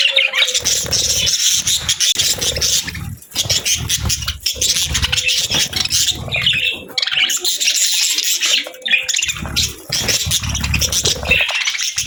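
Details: Steady, busy budgerigar warbling and squeaky chirps throughout, with repeated low fluttering or knocking sounds underneath.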